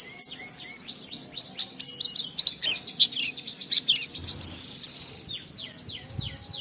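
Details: Oriental white-eye in full ngalas song with sambung riwikan material, to get other white-eyes singing: continuous, rapid, high twittering of sweeping chirps for the whole stretch, slightly softer near the end.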